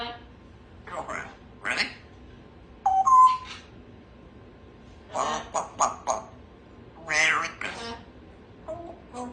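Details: Pet female Congo African grey parrot indoors, practising her words in the morning; scattered mimicked syllables and squawky bursts, with a clear tonal whistle-like note near the middle, separated by quiet pauses.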